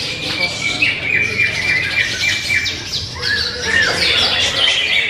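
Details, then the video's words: Greater green leafbird song: quick downward-sweeping whistled notes and harsh squawks repeated several times a second, mixing clear slurred phrases with scratchy chatter in a lively, varied run. "Materi berkelas cucak hijau"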